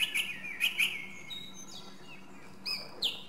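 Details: Song thrush (Turdus philomelos) singing: short bright whistled notes repeated twice near the start, then thin gliding whistles and a sharp high phrase, over a faint low hum.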